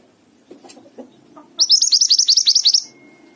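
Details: Mountain tailorbird in full song. After a few faint low murmurs, it gives a rapid run of about a dozen high, sharp, slurred notes, evenly spaced and lasting just over a second, then goes quiet.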